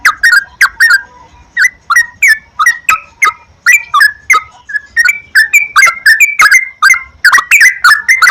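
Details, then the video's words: Yellow-vented bulbul song used as a lure so kept bulbuls sing readily: a steady stream of short, liquid, slurred notes in clusters of two or three, continuing at a brisk pace. "PANCINGAN BURUNG TRUCUKAN TERAPI PAGI,SIANG,MALAM,AGAR TRUCUKAN RAJIN GACOR"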